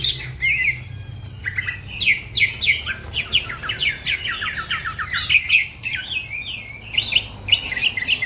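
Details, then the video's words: Cucak ijo, green leafbird, in fast chatter: dense run of hurried chirps and twisting whistles, busy and unbroken, with a faint low drone underneath. "The green cucak bird makes noise, other birds also become gacor"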